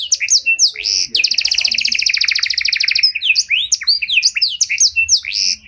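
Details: Panda canary in 'cengkok mewah' style, a song meant to prompt and train other canaries; a few sharp sweeping notes lead into a long, fast buzzy roll, then a run of varied chirps and descending whistles.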